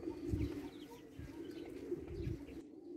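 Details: Low, soft murmuring coos from Tabrizi Agharan pigeons of Iranian breed, a steady hum of several birds with muffled bumps of movement.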